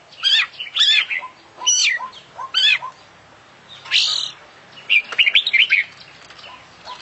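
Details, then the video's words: International champion kacer, oriental magpie-robin, in full isian song: rich warbled phrases with sharp descending notes, a harsh rasp, then a quick rattling burst of high twitters. "Full Isian Juara Internasional Burung KACER Gacor"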